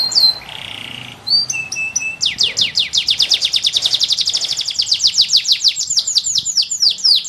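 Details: Canary delivering very strong song: a few separate whistles and a short buzzy note, then a long, powerful trill of quick descending sweeps that gradually slows and fades toward the end.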